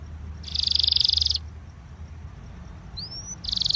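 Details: Quieter Belgian canary song used to warm up canaries: a short, dense buzzy trill, a long lull with low background hum, a rising whistle, and the start of another trill.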